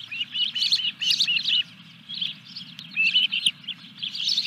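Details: Osprey calling at the Dunrovin Ranch nest as the third fish of 14 July 2021 arrives: two quick bursts of excited, high whistled chirps separated by a short lull. A low hum sits in the background.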